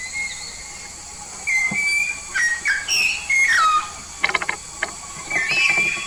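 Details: Yellow-faced myna originating from Papua, an energetic songbird, delivering clear whistled notes that slide downward, mixed with a few sharp clicks and rapid ticking sounds, against constant high-pitched background hiss.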